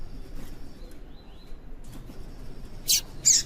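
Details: Female yellow-bellied seedeater call intended to stimulate male song. After near silence, two loud, sharp, high chip notes close together near the end.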